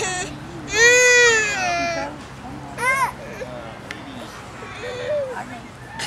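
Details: Pet cockatoo in a park crying along with a crying human baby: a long wavering wail like a crying baby, then a shorter sob, with a person's voice close by.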